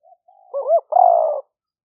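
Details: Spotted dove decoy bird in the liu fueang style, recorded live for trapping at a rice-field camp in Roi Et, Thailand, in the 2021 rainy season on a smartphone: soft lead-in coos, a looping double note, then a long burry coo.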